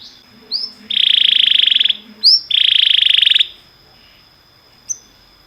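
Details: Canary song meant for training canaries: two loud, fast buzzing trills, each about a second long and preceded by a short rising whistle, separated by a brief pause, with quiet after.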